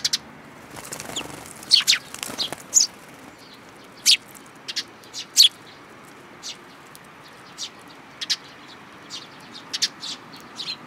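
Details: Sparrows and a newly arrived chick at a plum-tree feeder at a Japanese Tenmangu shrine, 21 June 2022: a flurry of wingbeats early on, then isolated high chirps every second or so.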